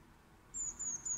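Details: A Eurasian blue tit (Cyanistes caeruleus) sitting fluffed up in a tree on the morning of 11 July 2020 gives three very high, thin, slightly falling notes in quick succession over a faint, quiet background.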